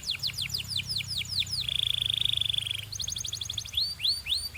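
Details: Canary song played for training and coaching other canaries: a run of quick descending whistled sweeps, then a long even rattling trill, a faster higher buzzy trill, and a few rising whistled slurs to finish, with a faint low hum underneath.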